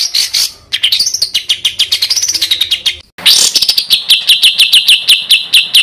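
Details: Songbird master recording for competition birds: dense fast chattering trill with a swooping rising-falling contour, a brief break, then a clear repeated pulsing phrase of bright notes.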